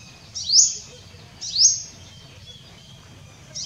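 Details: Purple sunbird (Cinnyris asiaticus) recorded 6 January 2024 gives sharp, high rising chips about once a second, with a faint thin whistle between them, over a quiet low hum.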